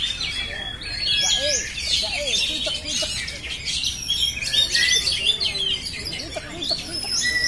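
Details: An oriental magpie-robin sings without a break: fast, varied high chirps and clear whistled slurs, with some softer lower warbled notes mixed underneath.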